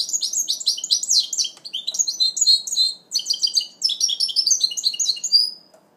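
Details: Goldfinch mule in its first moult, recorded in 2012: a fast, continuous twittering song of high, bright chirps and buzzy trills, pausing briefly at about three seconds before resuming just as densely.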